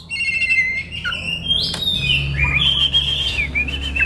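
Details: Oriental magpie-robin in relaxed song ahead of konslet, a master for teaching young birds from the wild; long sustained clear whistles, some rising and falling, with a faint low hum underneath.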